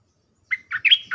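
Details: Red-whiskered bulbul, a caged bird kept to tutor hand-reared and young wild-caught birds, delivering a brief dok-style phrase: a whistled note held level, then bubbly, warbling chirps.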